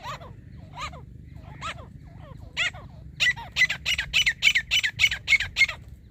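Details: Grey francolin recorded during a hunt: scattered, softer, lower calls for the first three seconds, then a rapid, regular run of loud, piercing notes at about three per second, rising in intensity.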